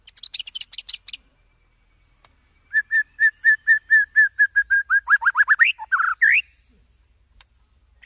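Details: White-rumped shama singing, used as a lure to prompt other birds to sing: quick high chips, then a steady run of clear whistled notes on one pitch, shifting into lower slurred notes and rising whistles.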